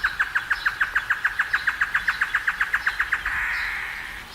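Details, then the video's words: In the wild, a great antshrike delivers a fast run of about twenty loud, hollow notes at a steady pace, then finishes with a drawn-out, raspy growl that trails off quietly. "canto do choro-boi na natureza (Taraba major)"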